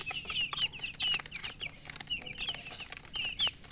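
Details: Just-born domestic chicks peeping loudly, many thin high chirps that slide downward, overlapping in quick irregular bursts from several chicks, with a steady faint hiss in the background.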